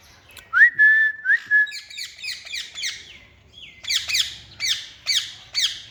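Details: Green parrot kept as a pet, in a garden: a rising whistle that levels off, then a run of short, harsh, repeated squawks, several per second, with a quiet background.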